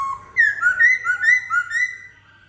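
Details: Black-throated laughingthrush singing a short, fluty phrase of clear whistles that rise and fall in a rolling, melodious pattern, loud and clean.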